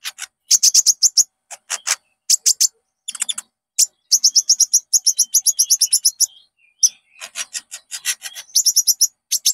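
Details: Olive-backed sunbird (konin) lure recording used to stimulate caged birds into full song. Dense bursts of very high, sharp chips tumble in quick runs with short pauses.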